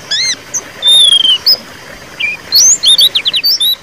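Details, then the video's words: White-eye in ngeriwik song, meant to make a silent bird sing again; a long thin descending whistle, then a pause, followed by a rapid run of high squeaky trilled notes. "suara pleci ngeriwik pancingan pleci macet bunyi"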